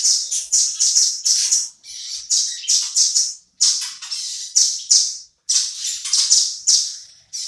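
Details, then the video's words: Velvet-fronted nuthatch, a kept bird used as song tutor for shamas, giving groups of three to five quick high chips separated by brief silences, the pattern steady throughout. "BURUNG RAMBATAN GACOR | BUAT ISIAN MURAI"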